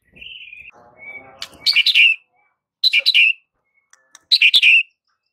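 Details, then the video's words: White-rumped shama, a training recording meant to draw silent birds, gives a few soft whistles, then three harsh, buzzy chattering bursts about a second apart, with faint low rumble early on. "Murai Batu BISU seketika langsung TERPIKAT dengan MASTERAN murai batu ini"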